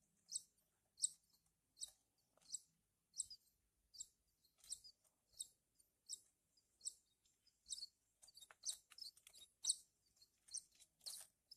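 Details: Thin, piercing chirps from hand-fed Horsfield's bush lark chicks repeat evenly about every seven tenths of a second, growing faster and more crowded toward the end, over quiet background.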